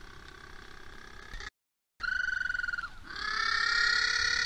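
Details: Little blue penguins at Oamaru, New Zealand, on 27 October 2023 at feeding time: loud, harmonic braying calls, first a fast pulsed stuttering run, then a sustained, brighter squealing call that swells in loudness, broken by a brief silent gap.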